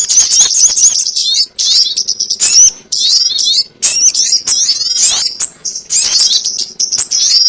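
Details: Sogon bird calls used as a trapping lure: dense, high twittering chatter with rapid squeaky slurred notes, broken into bursts by short gaps, several voices overlapping.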